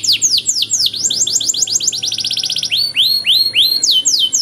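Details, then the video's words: Canary tutor song with rich ornaments: quick descending notes speed up into a tight trill, then break into three slow, swelling whistled slurs and more trilled notes, over a faint low hum. "DURASI PANJANG BANGET LAGU DAN CENGKOK MEWAH, MASTERAN TOP UNTUK KENARI"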